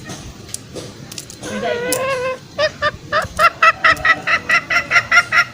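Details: Trapping lure of green junglefowl meant to bring out wild males: a drawn, wavering nasal sound, then a quick regular series of short arched notes, roughly three per second.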